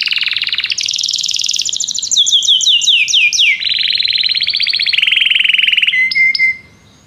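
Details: Belgian canary singing loudly without pause. Dense high rolls shift through several tours, including a run of swooping, falling notes, then a lower steady trill, and close with a few flat whistled notes before falling silent.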